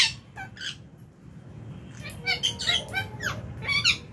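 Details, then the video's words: Aviary lovebirds at meal time in January: a few shrill chirps at the start, a quieter lull, then a lively sequence of fast, high squeaky chirps over a low background hum. "Lovebird Chirping Sounds"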